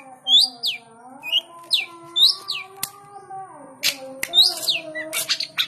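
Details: A long-tailed shrike kept as a fighter bird gives quick, sharp downslurred chirps in bursts of two or three, over a steady low humming tone that slides downward midway.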